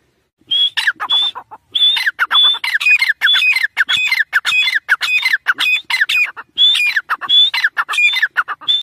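A chukar calls in a loud, harsh, rapid series of clucking notes with a whistled edge, repeated several times a second in bursts with short pauses.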